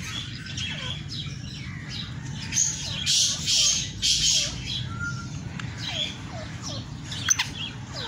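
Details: Kala teetar, the black francolin, gives loud rasping, scratchy phrases in the middle, with short falling chirps repeated about every half second around them and a low background rumble.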